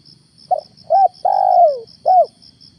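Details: Spotted dove kept as a lure bird for morning trapping: one short coo, a rising-falling coo, a long drawn coo sliding downward, then a final curved coo. A steady high insect-like pulsing runs behind it.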